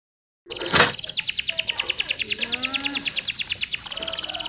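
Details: Canary singing actively with melodious phrasing, played to get other canaries singing; a sharp burst opens, then a long, fast, even trill of high descending notes runs for about three seconds.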